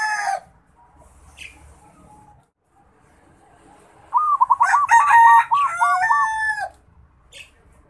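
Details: Young local zebra dove from Bali practising its song. Mostly quiet, then a burst of rapid, looping cooing notes lasts about two seconds, ending in a rougher, fuller phrase. A short sharp sound comes near the start.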